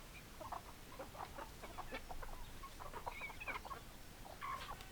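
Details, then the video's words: Chickens on a farm, hens and roosters together, giving short, clipped clucks in quick irregular bursts, with several birds overlapping and a few sharper, higher notes near the end; a low steady background rumble runs throughout. "Chicken Sounds Noises Hens Clucking Roosters Crowing"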